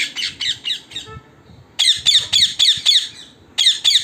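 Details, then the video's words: Wild parrots visiting a home during their evening gathering, giving harsh, raspy squawks in quick bursts of about four, a short pause, then another run of repeated squawks. "Wild parrots in our home(evening meeting)"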